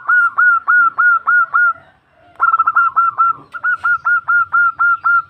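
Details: Female zebra dove calling a male, a sound used to lure birds: long runs of quick, clipped cooing notes in three bursts, a brief pause after the first run, with low background rumble.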